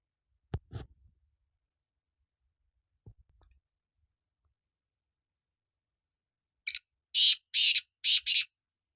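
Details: After a few faint clicks and knocks, a black francolin bursts into its call: a brief note then four loud, rasping, buzzy syllables, the final two close together.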